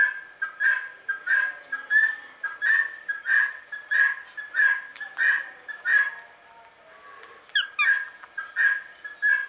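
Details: Calm Indian ringneck parakeet making sweet sounds: a steady run of short, clear chirps about one and a half per second, broken by one brief pause and a quick rising squeak near the end.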